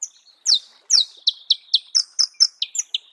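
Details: Marico sunbird heard in natural habitat, uttering a brisk string of about ten piercing, downslurred notes, three or four per second, bright and slightly metallic.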